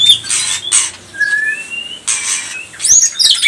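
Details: Pastol white-rumped shama, used to make other shamas sing excitedly: a few long pure whistles, one rising, between loud hissing noise bursts, ending in quick looping high notes.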